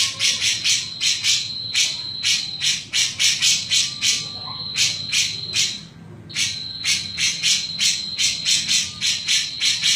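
A grey-cheeked bulbul gives harsh, scratchy chattering bursts several times a second, high and rasping, with a brief pause midway before resuming.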